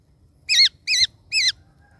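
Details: Greater racket-tailed drongo calling the flock with three loud, ringing, wavy whistled notes, evenly spaced about 0.4 seconds apart, each sliding up and down in a rich, metallic tone over quiet background hum.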